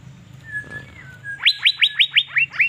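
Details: Asian fairy-bluebird kept as a cage bird in Banjarmasin, singing actively while set out in the sun: a soft level whistle, then a quick run of seven loud, sharp upslurred notes, evenly spaced and slightly falling toward the end.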